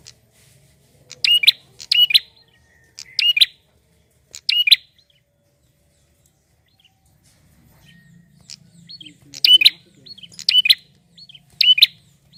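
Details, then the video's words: A male prinia sings to bait other prinias into calling. Four snappy chirp phrases arrive evenly, then a quiet gap, then a faster run of four more over faint background murmur. "PRENJAK JANTAN GACOR untuk pancing bunyi burung bahan"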